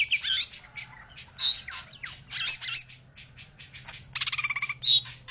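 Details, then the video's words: Greater green leafbird singing energetically: a dense, loud run of squawky, buzzy notes and short whistles, with a fast rattling trill near the end and a low steady hum beneath. "Cicak Ijo Gacor Tenan"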